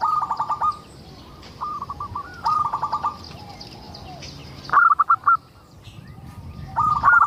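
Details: Local zebra dove in energetic song meant to draw other zebra doves into singing: four separate bursts of rapid, rattling coo pulses with quiet gaps between them, plus faint high bird chirps in the distance.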